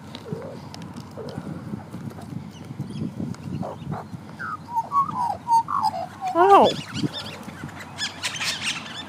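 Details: Several magpies, joined by twenty-eight parrots, near Lake Cliffe at breakfast, making unusual noises: a run of warbling, gliding notes rising and falling, building to a loud wavering burst, then fading, over a steady low hum and scattered chatter.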